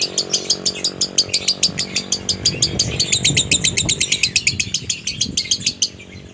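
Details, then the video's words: Lovebird konslet minor song with a dry tone, meant to draw other lovebirds into singing: rapid, high, clipped chirps repeated in quick bursts, slightly uneven, over a low background rumble and murmur, fading near the end. "SIMULASI SUARA LOVEBIRD KONSLET MINOR NADA KERING ,COCOK UNTUK MEMANCING DOBELAN LOVEBIRD ANDA"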